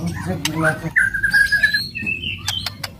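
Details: White-rumped shama in aggressive kretekan and tembakan song meant to provoke other shamas: a long level whistle followed by two higher steady notes, with a few sharp clicks and a low background hum.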